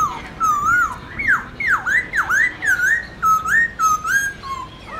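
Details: Black-throated laughingthrush singing its wild voice, used to coach young birds: loud clear whistled notes around mid pitch, dipping and rising in V-shaped swoops, repeated roughly twice per second.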